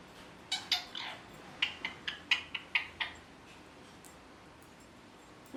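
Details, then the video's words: Pet rose-ringed parakeet chirps in a loose series of short, sharp, high notes, about a dozen over several seconds, then falls silent. "Parrot Chirping Sounds | Natural Parrot Sounds"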